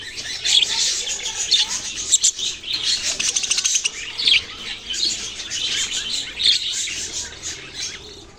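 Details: Young budgies chirping together: busy overlapping high tweets and short squeaky notes, with louder bursts every second or so over a steady chattering background.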